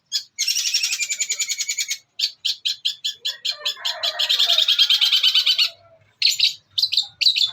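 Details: Long-tailed shrike mimicry song, used as a master recording for training songbirds. A long ringing trill leads into evenly spaced rasping notes, a dense buzzy rattle and a few final harsh calls.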